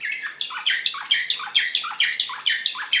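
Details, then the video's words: A fast, high canary tour from an excited Serbian slavujar bird, Belgrade 2016: sharp, chippy syllables dropping in pitch, repeated about three times a second with metronome-like regularity. "كناري هائج"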